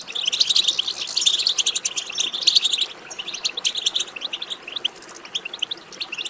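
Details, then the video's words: Several European goldfinches twittering together, played to stimulate a goldfinch to sing; dense, overlapping high bright chirps and trills forming a continuous chattering stream, louder bursts in the first three seconds. "بتبتة ماهرة في تحفيز الحسون على التغريد"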